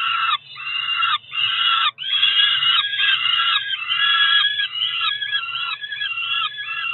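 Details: Two roughly four-week-old Peregrine falcon chicks on a Cromer nest, June 2023, begging while being fed: continuous rasping, rising and falling screams, blurring into near-unbroken calling, briefer notes at the start.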